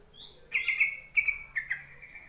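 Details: Yellow-vented bulbul call used to draw lazy, newly caught bulbuls into singing: a thin high note, then three bubbling, buzzy bursts in quick succession over a low background hum.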